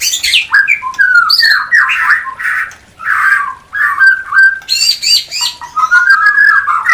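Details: Mating call of a White-rumped shama from a new pair not yet breeding, meant to arouse breeding desire: loud, varied phrases of squawky notes and rich whistles, broken by short pauses, with some high buzzy notes.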